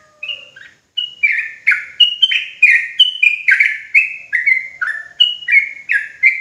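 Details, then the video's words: Sooty-headed bulbul (trucuk jawa) song played to provoke other bulbuls into rapid ropel singing: a fast, continuous string of short, bright whistled notes, each sliding downward, alternating between higher and lower pitches about three times a second. "Bikin Trucukan Lain Ikutan Ropelan Garuda dan EMOSI Ketika Dengar Suara Trucuk Jawa Ini"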